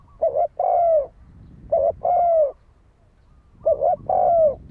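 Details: Spotted dove giving its fighting-style coo, played as a lure to excite a decoy bird: three phrases, each a quick double note followed by a longer, smooth coo that slides downward, with short pauses between.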